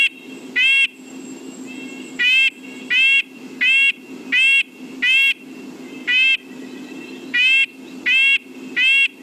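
Red-breasted Nuthatch giving nasal, tinny 'yank' notes like a tiny tin horn, about ten over nine seconds at an uneven pace, over a soft background hum.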